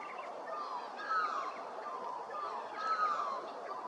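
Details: Spotted dove at Hervey Bay, Queensland, giving soft, slurred, falling coos in two short phrases about two seconds apart, over a steady hiss of background noise.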